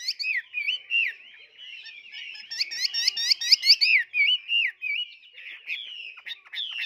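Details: Caged, tame Chinese hwamei: rich, loud, varied whistled song of looping, rising and falling phrases, with bursts of rapid repeated notes in the middle and sweeping whistles toward the end.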